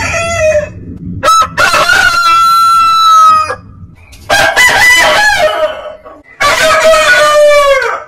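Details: Three rooster crows separated by pauses, each opening with a sharp rise, holding a strained ringing tone, then sagging at the close.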